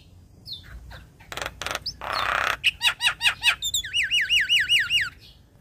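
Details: Young Asian pied starling in song: scattered squeaks and a harsh raspy burst, then a rhythmic series of bouncing whistled notes about three per second, ending in repeated looping whistles.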